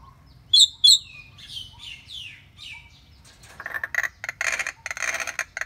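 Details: Pet talking myna gives two sharp high chirps, a few descending whistled slurs, then a series of harsh, noisy rasping bursts.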